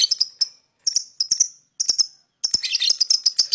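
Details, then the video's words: A lovebird gives quick bursts of high, squeaky chirps separated by brief pauses, then a steady run of shrill twittering chatter, played to lure other birds into chirping. "lovebird singing & chirping sound"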